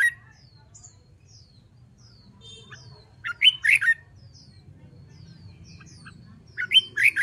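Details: Trained caged red-whiskered bulbul giving contest-style song: two bold, rapid, warbling phrases separated by a quiet stretch dotted with faint high twitters from other birds over a low rumble.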